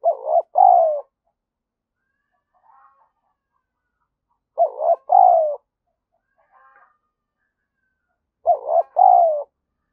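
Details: Lure spotted dove giving stimulating coos. Three phrases about every four seconds, each a short double note followed by a longer, hoarse, downward-sliding coo, with faint quiet murmurs between them.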